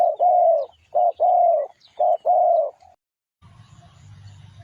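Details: Spotted dove cooing, used as a lure call for trapping: a clipped note followed by a longer, soft, level coo, repeated about once a second. A low rumble follows at the end.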